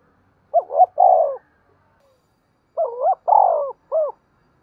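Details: Spotted dove used as a decoy in the morning, calling to lure wild birds; two deep cooing phrases, the second stretching into a rolling coo followed by an extra short note.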